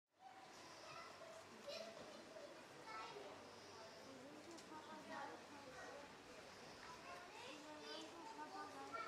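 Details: Common murre (Uria aalge), colony calls.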